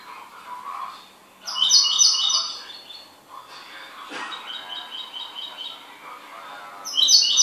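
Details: A pet goldfinch gives two bursts of sparkling, rapid twittering song separated by softer, quieter notes, over a faint low background hum.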